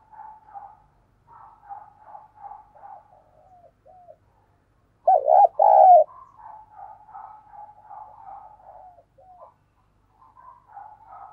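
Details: Lure spotted dove using thúc and gáy cooing to lure wild birds. Many faint, repeated short coos surround one loud burst midway: a wobbling note and then a smooth sustained coo.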